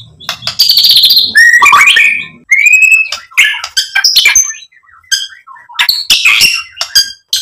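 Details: White-rumped shama used to provoke a bird into singing: loud harsh squawks and buzzy notes mixed with sliding whistles and sharp chips, in dense bursts with short pauses.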